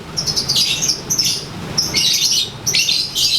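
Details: Sunbathing lovebird in its daily ngekek. Short, shrill bursts of scratchy chatter come in three clusters, separated by brief pauses.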